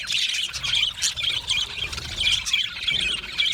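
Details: Budgie colony chirping when happy; high warbled chatter and short whistled squeaks from several birds, steady and overlapping, a few clearer whistle notes standing out.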